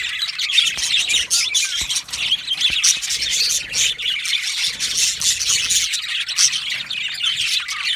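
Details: Yellow male budgerigars in an aviary colony chirping together: a dense, continuous wash of high warbling chatter and squeaky notes with scattered sharp clicks, no pauses.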